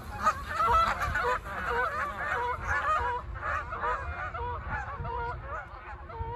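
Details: Flock of Canada geese at takeoff, loud harsh honks tumbling over one another in quick succession, roughly two per second, with a low rumbling background.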